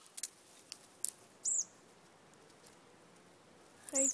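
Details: A young Olive-backed Sunbird chick, a hand-reared baby being returned to its parents, gives two thin, very high chirps about two and a half seconds apart, with a few faint clicks between them, while hidden nearby.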